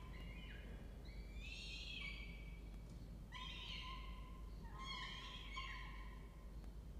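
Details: Peregrine falcon at a water-tower nest box with 25–26-day-old nestlings, Orange, New South Wales, Australia, 2 November 2024, 08:07: harsh, rasping, drawn-out wails, three or four in seven seconds, over low wind or hum.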